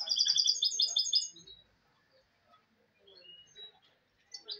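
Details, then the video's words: Goldfinch hybrid (mulet) delivers a short burst of quick, high twittering notes for just over a second, then falls mostly silent apart from a few faint, scattered chirps and a brief high note at the end. "le chardonnet chant mulet"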